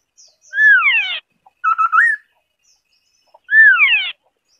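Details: White-browed scimitar babbler song with clear descending whistled slurs, each paired with a lower echoing note, separated by a wavering fluty phrase that ends in a rising lilt. The setting is quiet.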